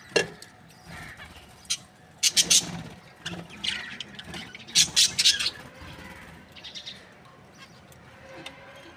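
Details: Budgerigars in breeding pairs call sporadically with short, harsh chirps and clusters of rapid scratchy notes, separated by quieter gaps.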